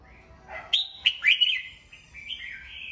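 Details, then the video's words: Red-whiskered bulbul kept as a cage bird, morning song used to train other birds: a low warble, then loud sharp whistled notes and a slurred rising-falling phrase ending in a steady wavering whistle. "Chào mào hót sáng, luyện giọng chào mào"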